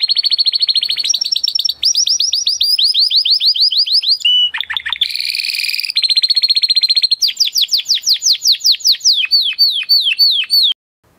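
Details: Spanish Timbrado canary in continuous song. Rapid pulsed trills shift through several tones, with a harsh buzzy burst midway and a run of descending whistled notes near the end.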